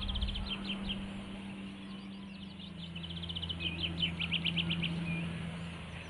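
A Willow warbler sings two soft phrases of high, quick notes that slide gently downward. A steady low hum runs beneath throughout.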